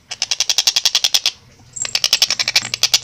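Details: Two rapid runs of harsh, chattering notes from a Long-tailed shrike in energetic, clear, fast-paced song, separated by a short pause, with a brief thin high whistle starting the second run.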